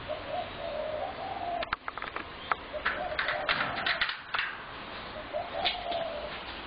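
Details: Flock of spotted doves, heavily fed by a neighbour, cooing beside homes from dawn to dusk; a run of coos opens and closes the recording, broken by clattering knocks in the middle.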